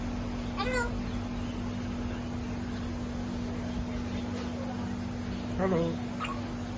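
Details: Pet African grey parrot talking indoors, with repeated 'hello' and 'good morning' heard around it; short wavering, warbling voice-like phrases near the start and again near the end, over a steady electrical hum.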